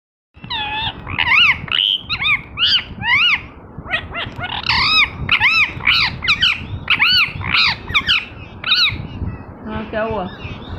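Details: Green ringneck parrot, described as a talking parrot, giving a rapid series of loud, harsh arched squawks and chattering notes. They come in quick bursts for about nine seconds, with a low background rumble.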